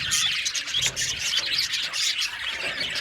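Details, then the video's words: Aviary budgerigars chattering together, a short burst of busy chirps, warbled notes and squeaky whistles layered over one another. "Budgies parakeets chirping sound | Cute Budgies birds singing sound"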